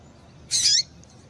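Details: Female double-collared seedeater call, played to stimulate a male to sing: a single high, slightly downslurred chip lasting about a third of a second, against quiet background.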